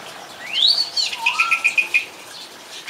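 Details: Song thrush singing: a bright rising-and-falling sweep, then one clear note repeated five times in quick succession, with a lower whistled phrase beneath.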